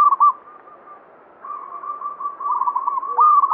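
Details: Local banyumili zebra dove in vigorous song, said in myth to attract fortune: a long run of soft rippling coos on one steady pitch, growing louder and ending in a clear stuttered phrase.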